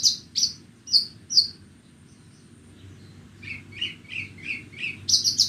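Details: Bornean Horsfield's bush lark, known as branjangan, singing in the morning sun: four separate high chirps, a pause, then a steady row of lower slurred notes about every third of a second and a closing high flourish.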